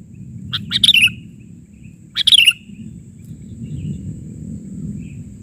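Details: Sooty-headed bulbul singing actively, 'bahari' version: two short bubbly phrases of bright, slurred notes that fall at the end, about a second apart, over a low steady rumble.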